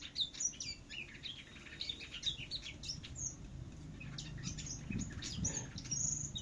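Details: Vietnamese finch singing in contest style: dense, fast sequences of high slurred chirps and trills. Low rumbling noise underneath, louder toward the end.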